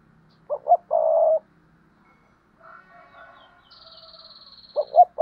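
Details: Spotted dove in paired cooing: two quick coos and a longer buzzy coo, then faint tonal notes and a thin high whine, before the quick double coo returns at the end.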